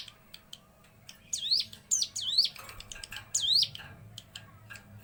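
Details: Hill prinia in "sewing machine" song: three loud, high notes that sweep down steeply, spaced about a second apart, among softer ticking notes and low background noise.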